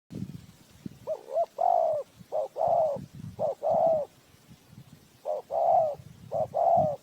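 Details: Spotted dove used as a lure to trap birds, giving repeated phrases of short and longer mellow coos, each slightly rising then falling, with low clicking and rustling noises between phrases.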